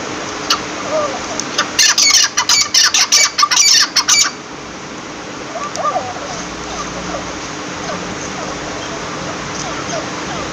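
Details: Partridge giving a loud burst of harsh, clipped squawking notes for about four seconds, then falling quiet while faint softer calls and low background murmur continue.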